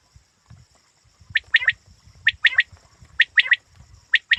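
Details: Quail calling in sharp three-note phrases, each note a bright chirp, phrases repeated roughly once a second with low thumping background noise beneath.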